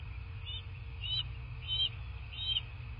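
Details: Bald eagle at its nest in southwest Florida, filmed by a nest camera on the morning of 17 March 2024: four short, high whistled notes spaced about half a second apart over a steady low background hum.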